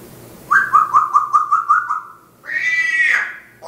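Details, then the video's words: African grey parrot indoors in Riyadh, Saudi Arabia: a run of about eight quick pulsed whistle notes, then a long, steady, rich whistled tone that ends with a falling slide. "ببغاء كاسكو يقراء القران ويذكر الله كثيرا"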